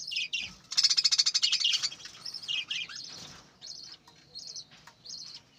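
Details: Budgerigars kept on a breeding farm, in a dense burst of rapid, buzzy, high chirps near the start, then short repeated whistled notes at a steady high pitch, with a faint low hum behind.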